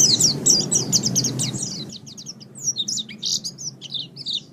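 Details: Master training recording of a white-eye singing: fast, high, jumbled twittering and sharp chirps run together, louder at the start over a steady low hum, then quicker scattered notes after a brief drop.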